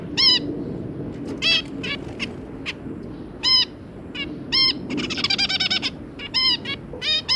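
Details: Family of zebra finches, two adults and three young, recorded 2 August 2022: loud nasal, trumpet-like beeps repeated irregularly, with a brief rapid chattering song burst in the middle over a soft low hum.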